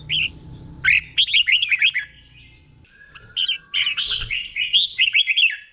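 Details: Slow, clear doubled song of a red-whiskered bulbul, played so caged birds can learn it: two bursts of rapid liquid warbled notes separated by a quiet gap with a faint steady whistle.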